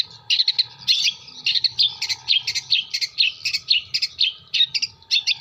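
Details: Long-tailed shrike (cendet) from Jember, a training song mixing in imitated material; rapid series of harsh, chattering notes repeated several times a second, with a steady faint hum underneath.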